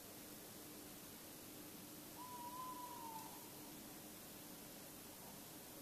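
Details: A tawny owl calls at night, 3:43–3:48 a.m. on 16 February 2016 in Bergen, Netherlands: one drawn-out, even, hooting note lasting about a second, over a steady background hiss like rushing water or wind.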